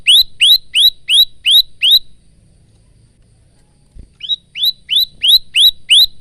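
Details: Male bar-winged prinia used as tutor song for caged birds, recorded by phone: six clear upward-arching notes in regular rhythm, a pause broken by a soft knock, then seven more identical notes.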